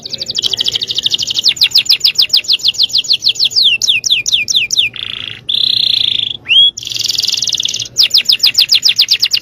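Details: Yellow canary in full song, delivering rapid high rattling trills, a sliding series of swept notes, two sustained pure tones with a sharp upward flick, then more fast trills, loud and continuous.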